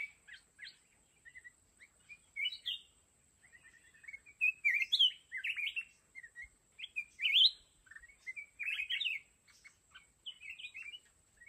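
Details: A caged decoy red-whiskered bulbul in a fighting trap delivers lively warbling song, clusters of quick slurred notes, some swooping upward, broken by short gaps. A thin constant high tone runs underneath.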